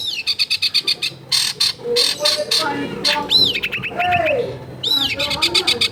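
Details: Long-tailed shrike delivering varied imitative song at a home in a densely populated area: quick repeated harsh notes, then arching whistled slurs and fast stutters, with low background voices and household noise.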